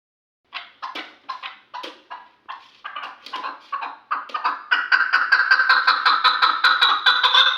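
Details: Chukar partridge, a three-year-old hunting bird from Kulob, calling in a series of harsh clucking chuk notes that start spaced and speed up into a steady, rapid, ringing chatter over the last three seconds.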